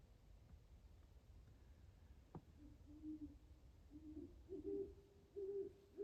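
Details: Owl hooting just before dawn at an ice-covered pond in Carver, Massachusetts, done hunting for the night: soft low hoots begin after a sharp click, growing louder toward the end, about five notes over six seconds; faint steady background hum.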